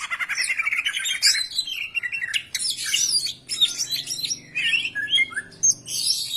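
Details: Greater green leafbird song for encouraging other birds to sing: a continuous, varied medley of sweet whistles, rising and falling slurs, clear pure notes and scratchy chatter, delivered loud and close with little background.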